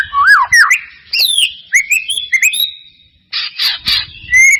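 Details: White-rumped shama lure song to trigger singing: swooping and rising whistles, a long high sustained note, then harsh raspy bursts and a final rising whistle.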